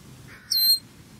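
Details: Close-range recording of a black bird at breakfast giving one loud peep: a sharp, high whistle that dips and then levels off, lasting about a quarter second, preceded by a faint, soft, lower murmur.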